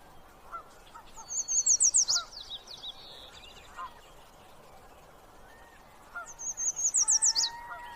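Yellow warbler giving two bright, high songs of rapid sweet notes that speed up toward the end, with other faint bird calls behind.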